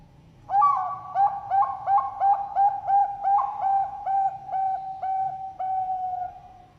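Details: Zebra dove of the local or Bangkok type, singing actively: a run of short, soft, hollow cooing notes near one pitch, quickly repeated about three per second after a brief rising opening, steady to the end with a faint low background hum.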